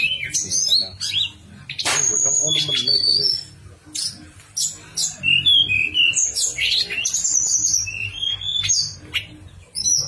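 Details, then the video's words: Javan sunbird master song, flute-like nyuling style, played to encourage stalled birds to sing: clicky high notes and short clear whistled phrases, separated by brief pauses, with sharp chirps later. "Tledekan Gunung Suara Nyuling/Masteran Tledekan"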